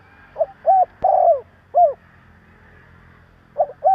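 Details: Spotted dove cooing to provoke other doves, a lure call: a short soft note, two drawn-out slurred coos, then a shorter coo, with the phrase starting again near the end; faint low hum underneath.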